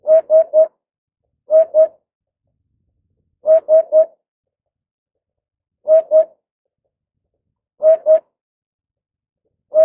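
A Eurasian hoopoe gives soft, low hollow hoots in quick groups of two or three, each group repeated every two seconds or so, with silence between.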